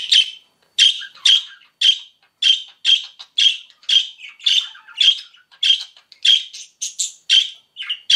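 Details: Pet budgies, several birds, chirping in a steady stream of short, bright, sharp chirp notes, about two per second and some paired or overlapping, with sixteen or so over eight seconds against a quiet background.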